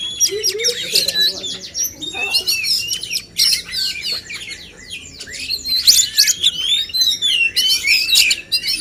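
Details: Male oriental magpie-robins pitted in a song contest to make them sing more; rapid trills, sweeping whistles and dense scratchy chatter in repeated bursts, with brief quieter gaps.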